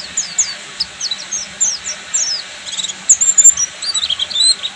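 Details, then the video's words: Ngeriwik song of a buxtoni Oriental white-eye: high, slurred whistles and twitters, some notes sliding downward, growing into a busier cluster of piercing chirps toward the end. "SUARA BURUNG‼️PLECI BUXTOMI FULL NGERIWIK"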